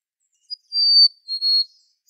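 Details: A Black-capped Chickadee's fee-bee ('hey sweetie') song, sung mainly by males to charm a female, especially in late winter and spring: a long pure high whistle, then a slightly lower, hitched second note, clean against a silent background.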